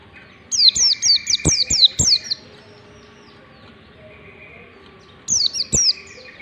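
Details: Ngalas-style warbling white-eye song for teaching white-eyes: a rapid run of six high descending whistles with a buzzy undertone, a long pause, then a shorter three-note burst, amid clicks and a steady hum.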